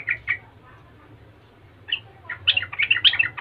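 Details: Yellow-vented bulbul, a prolific singer said to set other bulbuls singing in reply. Two short chirps are followed by a pause, then a quickening cluster of bright gurgled notes.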